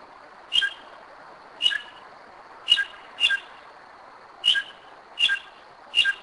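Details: Northern mockingbird at night, 2am, in Kennesaw, Georgia, giving single sharp, high notes, sometimes doubled, spaced roughly every second against a quiet background.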